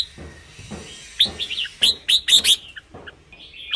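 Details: Red-whiskered bulbul singing, a recording for decoy use or to rouse caged birds: short, sweet whistled notes rising into a burst of loud, quick chirping phrases over a steady background hiss and low rumble.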